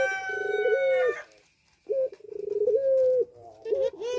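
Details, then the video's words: A Barbary dove (puter pelung) in breeding condition, used as a lure to bring other doves into condition, gives long, rolling, low, mellow coos, each about a second long with short pauses between. "Puter Pelung Gacor Birahi"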